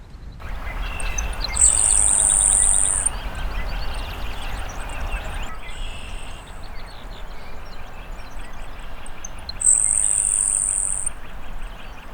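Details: Grasshopper Sparrow singing from tall grass in an expansive field, giving two thin, very high, insect-like buzzes about eight seconds apart, each over a second long, with steady low rumble and faint chatter from other birds.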